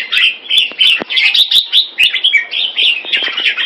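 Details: Singapore captive red-whiskered bulbul doing keke on command, pouring out quick rolling warbles in short pulses about twice per second, interrupted by sharp tapping clicks.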